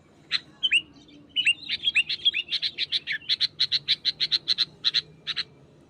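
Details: A few separated sliding notes from a wild sooty-headed bulbul pressing a rival, then a fast, even series of about twenty crisp clipped chirps before it stops.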